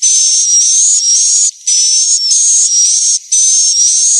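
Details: Swiftlet lure call for drawing young and adult birds in to roost: long, steady, hissing buzzes with a faint rising whistle inside, in runs separated by two brief gaps.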